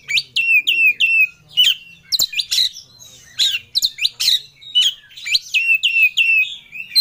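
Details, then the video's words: Oriental magpie-robin, a caged competition singer, in emotional rival-seeking song: a run of strong downslurred whistles repeated several times per second, broken by explosive buzzy bursts and fast chattered phrases, nearly continuous throughout. "Kacer Ngobra Cari Lawan || Full Emosi Materi Joss"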